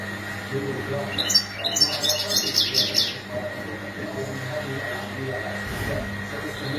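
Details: European goldfinch mating calls: a lively stretch of rapid, high twittering and chirps lasting about two seconds, followed by only a steady electrical hum.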